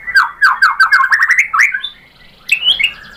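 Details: Provocation song of a white-rumped shama, meant to get a bird to answer: a rapid run of repeated rich whistled notes climbing in pitch, a brief quiet gap, then a few sweeping whistles.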